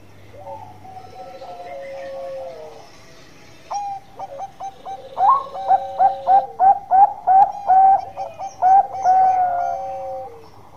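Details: Long-voiced song of an actively singing Bangkok zebra dove, or perkutut: a soft sliding coo, then a long series of about fifteen loud, short, bubbling coo notes in a rapid, fairly steady rhythm, fading into a drawn-out tone.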